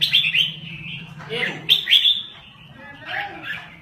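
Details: Red-whiskered bulbul of Lao stock singing in a rapid, rolling style: bright whistled phrases open the clip and return near the two-second mark, with quieter warbling notes between them and a steady low hum underneath.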